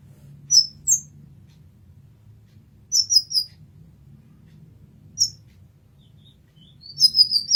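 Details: Olive-backed sunbird, known as kolibri ninja, in a masteran recording: scattered pairs and trios of bright, high tsip notes, ending in a quicker twittering run of sharp chirps.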